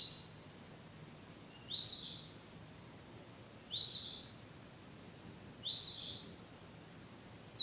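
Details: Bird singing love songs at night after coming back; high, clear whistles repeated about every two seconds, four notes in all, each a short falling slur, with faint low background hum.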